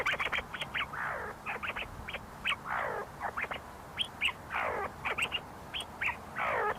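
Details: Several see-see partridges feeding and fighting inside the University of Sulaimani, Kurdistan: quick clusters of short chirps alternate with four loud, harsh, descending rasping squawks, over a noisy background.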